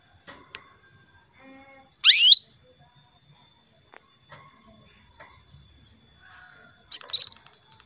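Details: A female canary calls a male, a recording meant to spur males into lively song. Two brief sharp calls, each a fast downward-sweeping burst, come several seconds apart amid faint clicks and quiet.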